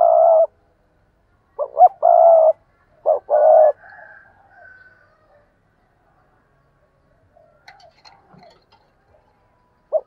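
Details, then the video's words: Decoy spotted dove in vigorous calling and cooing: a long coo, then two phrases of short sharp notes leading into a sustained throaty coo, followed by quieter fading murmurs and a brief rustle. "Cu Gáy Mồi Thúc và Gù Ác Liệt"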